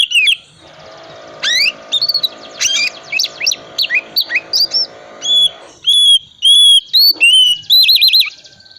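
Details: Oriental magpie-robin in full song meant to get reluctant magpie-robins singing: jumbled chirps and sweeps, then clear repeated flat whistles and a final warbled trill, over a faint low hum.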